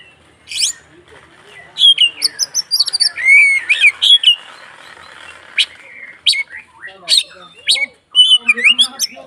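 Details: Agitated kacer, or Oriental magpie-robin, in fighting 'konslet' mode used as a lure to provoke rivals: rapid clear whistles, rising and falling slurred notes, then sharp chips and scratchy bursts.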